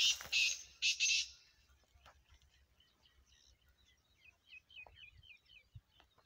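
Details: Black francolin calling: a few loud, harsh rasping bursts in the first second and a half, followed by a quiet run of short, rising chirps from a smaller bird.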